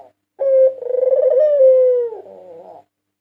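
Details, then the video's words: A single long coo from a white dove, the 2022 national champion, recorded as a lure: an accented opening note, then a low pulsing tone that drifts downward and ends in a soft rattle. "Masteran burung puter putih juara nasional 2022 merdu dan ampuh untuk pancingan"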